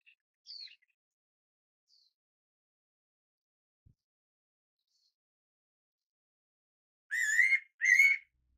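A fairy pitta gives a loud, rich two-note whistled call near the end, the second note rising slightly. Faint high chirps from another bird come earlier.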